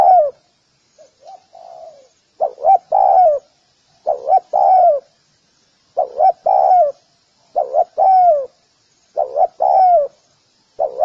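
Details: Repeated Spotted dove calls, recorded to train doves: a soft single coo and a faint phrase, then a run of loud three-part coo-coo-croo phrases about every 1.5 seconds, low and hollow, with no other noise.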